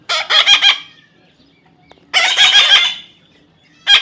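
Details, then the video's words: Baby parrot during taming, uttering loud grating squawks: a rapid triple burst, then a longer rasping call after a pause, and a third starting at the end. "natural funny parrot sound"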